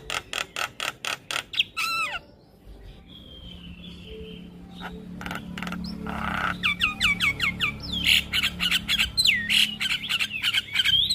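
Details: Black-winged starling song used as a tutor recording for young birds: a rapid series of harsh clicking bursts, a quiet pause with faint whistles, then loud repeated downslurred whistles and buzzy notes building toward the end.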